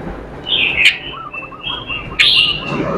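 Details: Melodious robin song: a sharp whistled phrase, then a sustained high note and a loud chattering flourish, over a soft murmur of background noise and faint lower warbled notes.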